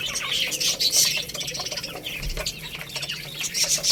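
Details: Young chicks feeding on rice keep up a shrill chorus of rapid peeping chirps, many birds calling over each other, with a soft low thump in the background.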